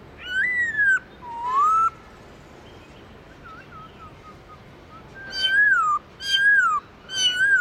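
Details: Wild-style song of a Black-throated laughingthrush with many voices: loud arching whistles and a rising buzzy note, a stretch of soft distant whistling, then three strong downslurred whistled phrases close together.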